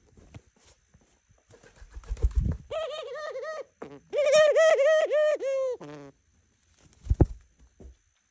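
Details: A pet dove says good morning with a run of quick, pulsing, nasal coo notes in a rhythmic burst, preceded and followed by low thumps and handling noise indoors.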